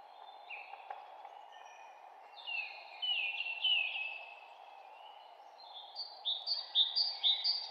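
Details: Forest birds in spring: high, thin whistled phrases of downward-sliding notes, sparse at first, then dense and overlapping, with a fast run of short repeated notes near the end, all above a constant low background rush.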